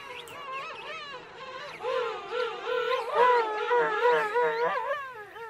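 A penguin gives harsh, wavering, harmonic calls that rise and fall in quick repeated pulses.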